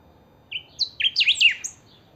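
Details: Kept saffron finch, or chiviro, described as a 'pica', singing in full: a short phrase of high, sharp whistled notes, from flat tones into rapid steep up-down slurs, over a quiet background.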